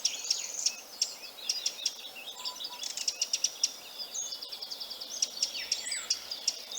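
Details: Eurasian wren alarm call warning of a predator: harsh, sharp tack notes repeated irregularly, then a rapid machine-gun-like rattling trill, over soft background hiss; Eurasian wren.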